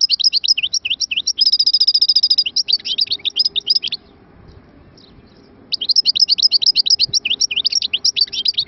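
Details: A goldfinch delivers a dense, chattering song of quick high notes, broken by a ringing trill. After a pause of nearly two seconds, another long burst of lively, tinkling twitters follows.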